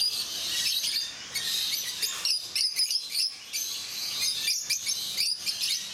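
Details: Rosy-faced lovebirds, also called peach-faced lovebirds, at Mysore Zoo in India, keeping up a dense, shrill chatter of high chirps and squeaks that overlap almost without pause.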